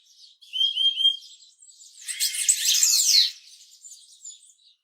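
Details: Purple-throated euphonia of tropical forest and woodland: a few high whistled slurred notes, then a loud dense burst of sharp overlapping chirps before fading to soft high twitters.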